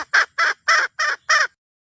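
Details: Five clipped, hoarse clucks spaced about a quarter second apart from a red junglefowl hen calling the rooster.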